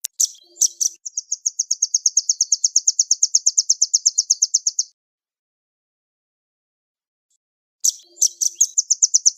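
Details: Nuthatch released from captivity opens with a few sharp, high call notes, then runs into a long, fast, even trill of high ticking notes. After a silent gap, more sharp notes and another trill begin.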